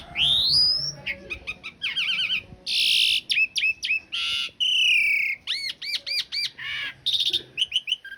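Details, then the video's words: Asian pied starling delivering rough-fill, long-roll master song for training cage birds: a rising whistle, trills, loud harsh buzzes and a run of repeated arched notes, busy and varied throughout. "Suara masteran jalak suren isian kasar roll panjang"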